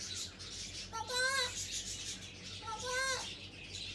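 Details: Pet African grey parrot imitating speech, calling "papa papa" indoors: two short voiced phrases, each with a rising then falling tone, with soft background hiss.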